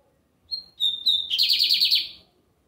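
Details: Lined seedeater (bigodinho americano) in full Sunday song. A quick whistled introduction is followed by a long, loud buzzy trill of closely spaced pulses, with faint low background hum.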